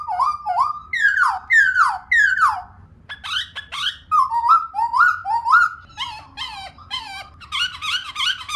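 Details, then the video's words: Female laughingthrush song played to make pet birds sing: repeated upward-sweeping whistles in quick series, then bouncy falling-rising notes and a dense final burst of high chatter. "Khướu Mun Mái RO RO VÍP Kích Trống Cực Đỉnh"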